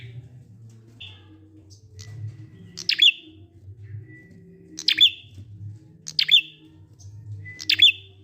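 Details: Ngalun prinia song for luring quiet prinias to sing: crisp chirps dropping into a thin trailing note, four phrases spaced one to two seconds apart, with a constant low hum underneath.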